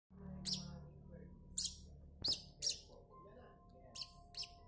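A newborn buff-banded rail chick gives six thin, very high peeps at irregular intervals over a low steady hum.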